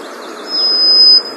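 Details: A wintering White-throated Sparrow, which sings in winter and visits this area only then, gives a single long, pure, steady high whistled note for most of a second over faint hiss.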